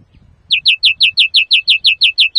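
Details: Greenfinch singing, used to lure birds for trapping and to train song: a steady run of about twelve bright, downward-sweeping chirps, evenly spaced, after brief low background noise.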